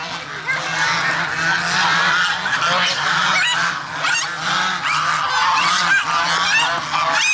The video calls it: Funny Goose Sound